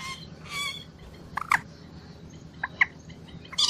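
A moorhen gives a handful of abrupt, harsh clucks and sharp squawks at uneven intervals over a few seconds, against a faint background hiss.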